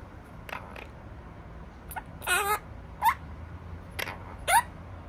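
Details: Opaline monk parakeet, a pet bird: soft early notes, then one drawn-out raspy squawk and two short, clipped calls spaced about a second or more apart, over a quiet humming room.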